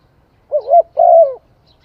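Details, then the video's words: Single spotted dove phrase: a low, quavering opening coo and then a longer, smooth, slightly descending coo. The setting is quiet. "Tiếng chim cu gáy hay"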